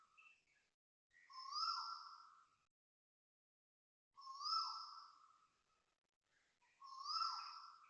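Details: Loud vibrato calls of Asian koels at 6:13 am, 13 November 2025, Toa Payoh Lorong 8, Singapore: three long, ringing notes, each swooping upward then tailing off, separated by pauses of two to three seconds, with faint short chips between.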